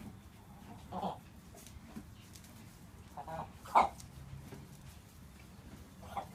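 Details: Croupy, bark-like coughing from a healthy-looking, fully plumaged three-year-old buff Brahma hen while goats and other chickens stop and stare. Several short rough bursts are scattered across the clip, the loudest near the middle, with a faint rumble beneath.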